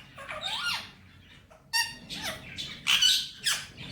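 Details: Talking Indian ringneck, a male pet, repeating Hindi phrases like "Mitthu bete"; a gliding nasal phrase, then a run of clipped, buzzy, speech-like syllables with rich harmonics, loud against a quiet room.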